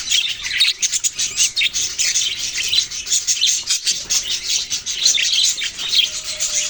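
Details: Budgerigar chatter: dense, overlapping high chirps and twittering, steady throughout, with a faint low whistle-like tone near the end.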